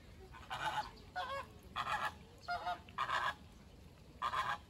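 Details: American (Caribbean) flamingo, one of a group standing in a summer marsh, giving six nasal, goose-like honks, each short and harmonic-rich, spaced about a second apart over a faint background hiss.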